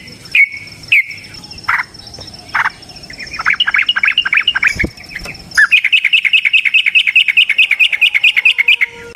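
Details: Yellow-vented bulbul giving a long fighting song of the rolling ropel style: a few scattered whistled chirps, then a fast run of sharp notes, ending in a steady rapid series of bright clipped notes at about two per second or faster.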